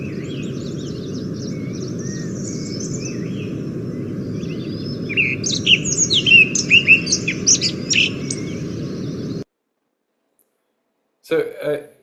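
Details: Himalayan Thrush, a newly described species named after Salim Ali and told apart from the look-alike Alpine Thrush by its sound, gives a few seconds of clear, high whistled notes that rise and fall over a steady low hum, then silence and a short noise burst.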